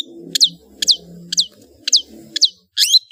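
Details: Long-tailed shrike (cendet) kicau ocehan: sharp, downward-sweeping chirps repeated about twice a second, ending in a harsher squeaky note, with a faint low background murmur.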